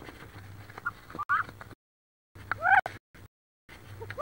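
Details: Squabbling wood duck hens in a nest box near Richland, Washington, with a hen incubating about 18 eggs; bursts of harsh rising-and-falling squeals and short squeaks, broken by silent gaps, with a low hum and knocking noises.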